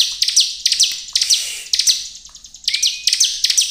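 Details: Bar-winged prinia singing energetically as a lure to provoke other prinias into singing: rapid bursts of sharp, high descending chirps, loosely repeated, with one brief level whistle near the end.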